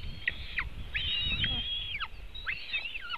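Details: White-tailed eagle eaglets being fed at their nest, Latvian webcam, June 2018: thin high whistles held steady then plunging downward, about three phrases in quick order, with a low rumble behind.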